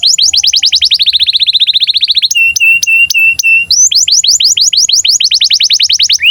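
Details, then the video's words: Breeding-condition canary singing as a tutor for young birds: a rapid trill of falling notes that slows, a run of flat steady whistled tones, then a renewed series of quick downslurred chirps. "KENARI GACOR Cuit CUIT BIRAHI UNTUK PANCINGAN & MASTERAN Kenari PAUD AGAR BUNYI DAN NGEROL"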